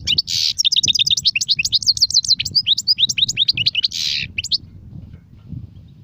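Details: European goldfinch, song styles sirfati, gzirati and tsersir, delivers a breathless twittering cascade of clear, high chirps with a couple of harsh buzzy notes, fading into low background noise.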